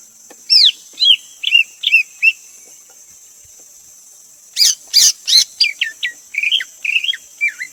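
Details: Greater green leafbird: a few downslurred whistles and short chirped notes, then sharp loud clicks, followed by a lively run of varied bright whistled and chattering notes, with a steady high-pitched hum underneath.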